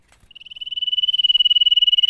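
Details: Common iora singing to prompt ioras at home to join in: a single steady, rapid high trill that swells in loudness over about two seconds.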